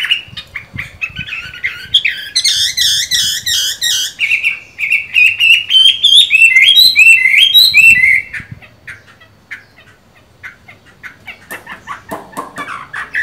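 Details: Chinese hwamei with mung-bean green eyes, in moult yet singing well: rich, fast, varied whistled phrases with rolling trills for about eight seconds, then softer scattered chirps before a final louder burst.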